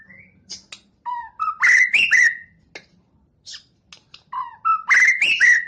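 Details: White-rumped shama, a champion competition bird, delivering a rising sequence of clear whistles that climbs to a loud, ringing phrase laced with sharp clicks, repeated twice within a few seconds.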